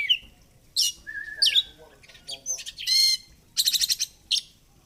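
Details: A chatty fighter oriental magpie-robin singing, used as therapy for birds reluctant to sing: high whistles, a level drawn-out tone, buzzy rattles and a quick run of clipped repeated notes near the end.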